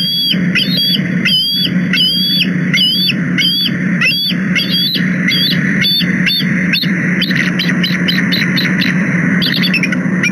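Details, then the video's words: Two wild bald eagles at a nest in Minnesota, USA, in December 2020, with a third eagle in the distance, calling loudly during chases and fights: a rapid series of high, squeaky chirping notes that speed into quick chattering, over steady background noise. "głośne roszady i gonitwy"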